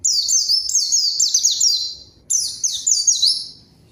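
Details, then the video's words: White-eye lure song to draw out a rival, which is said to answer and join in: loud, quick series of high downslurred whistles, a two-second phrase followed by a shorter one. "PANCINGAN PLECI GACOR MANGGIL LAWAN PLECI BAHAN LANGSUNG RESPON DAN IKUT BUNYI"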